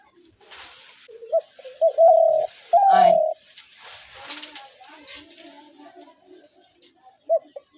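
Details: Spotted dove cooing, used to lure doves into traps: soft mumbling notes lead into two loud, drawn-out level coos in quick succession, followed by quieter low murmurs and faint background chatter.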